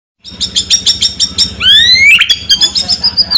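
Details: White-rumped shama in lively 'gacor' form, delivering 'ngerol kasar' rolling song with 'kretekan setan' crackles: a fast series of sharp, repeated chips, then a long rising whistled sweep, breaking into buzzy rattling trills.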